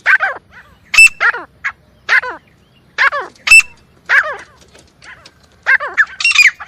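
Partridge calling in loud, harsh, ringing bursts, several notes each second with short pauses, mixed with a few sharp high clicks.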